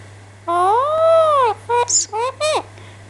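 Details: Pet Alexandrine parakeet chatting with its owner in a small room: one long, arched, tonal note, then four quick clipped syllables that rise and fall, followed by the owner speaking gently.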